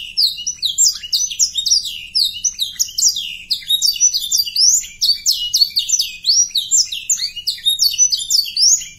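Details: Rich canary song intended to get young canaries singing quickly: continuous high twittering of repeated sweeping whistles, with quick rises and sharp drops in steady succession.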